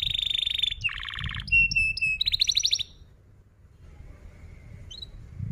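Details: Young-canary training lure of canary song with rolls: a rapid buzzy trill, a lower rattling roll, paired clear whistled notes, and a high buzzy trill, followed by near quiet with a faint chip.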